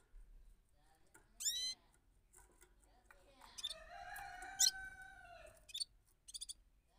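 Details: Rolling song of a bulbul: an isolated high note falling sharply, followed by a drawn-out passage of steady, layered tones with bright accents, closing with quick, stuttering high pulses.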